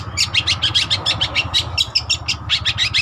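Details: Long-tailed shrike, the cendet trotol, singing for use as a lure or master: evenly spaced, rapid scratchy chirps in a steady stuttering series, about several per second, over a low background rumble.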